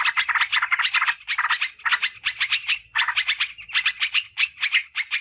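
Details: Yellow-vented bulbul lure sound meant to call wild birds in forest or garden. Harsh, chattering note clusters come in uneven bursts, with a faint low hum underneath.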